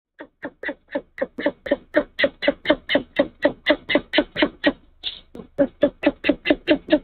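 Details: Male great horned owl at a nest in Canada at night, arriving with a mouse as prey and calling to his mate: rapid series of harsh clipped chirps, about two per second, steady throughout.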